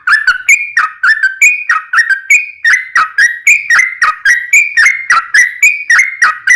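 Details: Long rolling song of a yellow-vented bulbul, played to encourage other bulbuls to sing back: rapid, liquid whistled notes in a steady chain, each slurring downward, around three and a half per second, with a clean background.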